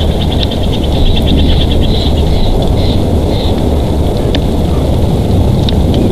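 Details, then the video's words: Bald eagle at a nest in Big Bear Valley, filmed by a live nest cam on 3 March 2023: thin, rapid staccato chirps in a fast series during the first half, a few sharper notes later, over strong low wind rumble. "Big Bear Bald Eagles"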